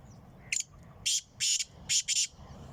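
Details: Black francolin in Sindh, Pakistan, recorded 23 March 2022: loud, harsh, grating notes, one short note followed by four rough bursts in quick succession over about two seconds, with a quiet background between them.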